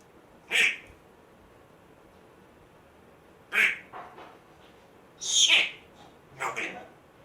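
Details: Rescued pet African grey parrot, one month after rescue, producing short raspy, hoarse bursts spaced a few seconds apart, resembling the throat-clearing it picked up from a previous owner.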